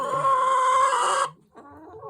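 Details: Backyard flock of 13 hens of mixed breeds, including Leghorn, Plymouth Rock, Australorp, Orpington and ISA Brown, on a small farm: one loud, drawn-out harmonic squawk lasting over a second, then soft low clucks.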